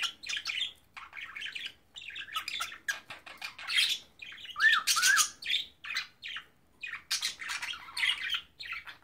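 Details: Pet cockatiel trying to talk and sing indoors: a steady stream of scratchy, buzzy chattering broken by harsh squawks, with a pair of short whistled notes that rise and fall near the middle, in bursts about every second.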